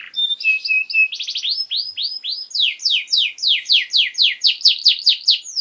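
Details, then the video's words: Canary master song meant to train young canaries: thin whistles and a short rattle, then arched whistled notes and a run of quick descending slurs repeated several per second. "Canary Singing!Masteran Kenari Gacor Durasi Panjang 1 Titik Bagus Untuk PAUD Cantante Canario Actual"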